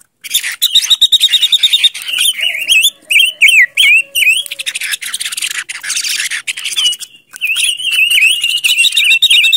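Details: Lure song of a silver-eared mesia. A thin, steady high note leads into a run of looping, wavering whistles. Dense harsh chatter fills the background for a while, then more rolling whistled notes follow.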